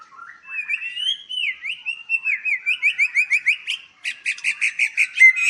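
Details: White-rumped shama at a breeding farm in Palembang, singing a varied song: a rising run of slurred whistled notes, then a fast series of repeated notes about five per second, followed by a burst of rapid buzzy chips.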